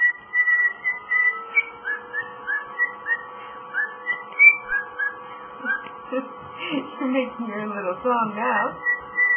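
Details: Pet cockatiel singing its version of Jingle Bells, a string of bright whistled notes repeated about twice a second, then breaking into a warbled, chattering talk-like passage near the end, over a steady indoor hum.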